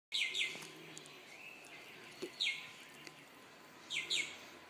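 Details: A superb lyrebird in a backyard garden, about eight feet away, gives three bursts of paired, bright, slurred chirps, each pair sharp and high, spaced about two seconds apart over a quiet background.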